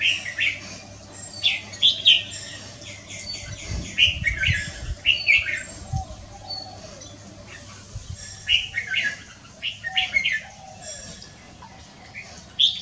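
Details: Red-whiskered bulbul heard on a Wednesday afternoon, 6 December 2023, giving lively, repeated short warbled phrases every second or two, punctuated by sharp chirps, with low rumbling in the background.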